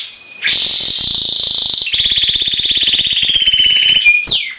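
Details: Male Timbrado canary singing in a breeding cage to a new hen that does not respond: long sustained rolling trills, one steady high trill switching to a lower, faster-pulsed roll, ending with a short upward sweep.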